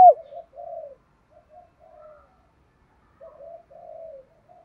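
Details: Soft, low spotted dove coos, a gentle murmuring version of the calling sequence used to stir kept doves. Muffled rolling notes come in two loose groups with quiet pauses between them.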